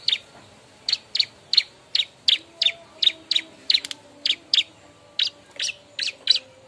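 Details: A bar-winged prinia calls loudly while seeking a mate, used to lure birds: a long run of clipped, high chirps, evenly repeated, with one short pause midway.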